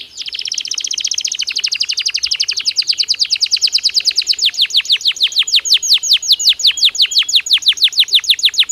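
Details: Belgian canary singing naturally: a long, rapid trill of high, downward-sweeping whistled notes that runs steadily and slows gradually toward the end, with no other sounds.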